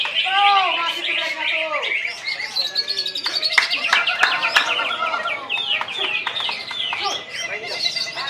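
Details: At a Wednesday practice contest for singing birds in Serasam Sekura, a Greater green leafbird (cucak ijo) sings while staying on one perch: a burst of lower slurred whistles, then rapid high twittering and chirps, with other contest birds and voices behind.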